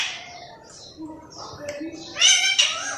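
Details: Green parrot kept as a pet, imitating human talk: soft, low, mumbled syllables at first, then two loud, harsh, buzzy, voice-like bursts near the end.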